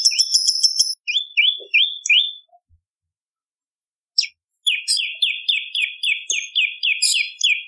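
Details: Bar-winged prinia in active song, meant to train songbirds and attract birds: high twitter, a few spaced downward chips, silence, then a long fast series of sharp falling chips topped by higher ticks.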